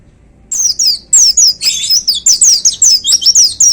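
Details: Energetic caged white-eye song of the 'tembakan' type, starting abruptly into rapid overlapping high twitters and falling whistles that run continuously without a pause.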